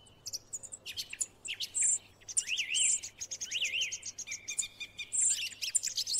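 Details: Song thrush in song, mixing high piercing notes with warbled, looping whistles and chirpy phrases, repeated in short bursts separated by brief gaps.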